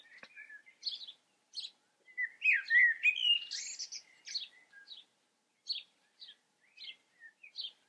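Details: Common blackbird delivering a fluty, melodic warble in the middle, framed by many brief, high-pitched chips and squeaks repeated irregularly before and after.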